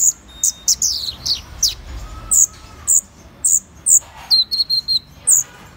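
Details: Sharp, high downslurred whistles from a Van Hasselt's sunbird, repeated about every half second, with a brief flat chattering trill in the middle.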